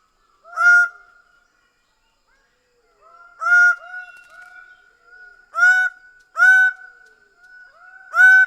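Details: Greater bird-of-paradise calling: loud, nasal, honking single notes, about five over eight seconds, spaced unevenly, with softer echoing notes trailing between them.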